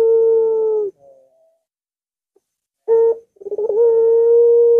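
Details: Barbary dove, played to make a reluctant dove sing: the end of a long level coo, a silent gap, a short sharp note, then rapid stuttering pulses leading into a drawn-out even coo.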